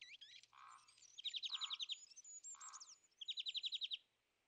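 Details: Winter feeder scene with European greenfinch, noted for driving tits, sparrows and even nuthatches away; two rapid, even trills of about ten notes each, broken by lower short mellow notes and high twitters.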